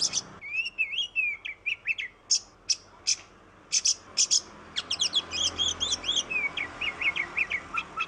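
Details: Oriental magpie-robin in continuous song, used to stimulate singing in other magpie-robins: a warbled whistled phrase, then harsh noisy bursts, followed by a rapid repeated sequence of high chirps and descending whistles.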